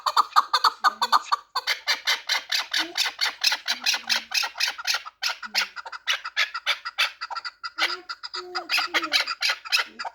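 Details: Pamir chukar, a four-year-old fighting and hunting partridge, calling a long sequence of harsh chucking notes about two per second, with short gaps and occasional faint low tones.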